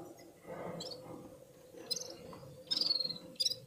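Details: Red-fronted serin warming up its song, with other birds nearby; short high twittering trills and sharp chirps, a bright rapid burst near the end over low background rumble.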